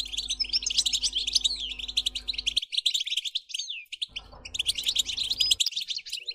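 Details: Energetic European goldfinch twittering: dense, high, jangling chirps and warbled trills in two long phrases separated by a brief lull.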